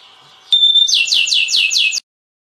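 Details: Orange canary song: a clear held whistle followed by five quick, loud, sweeping downslurred notes, then abrupt silence.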